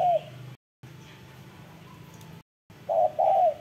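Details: Spotted dove giving strong, deep cooing: low hollow coo notes at the start, then a louder pair of rounded coos near the end, separated by short silent gaps over a faint low hum.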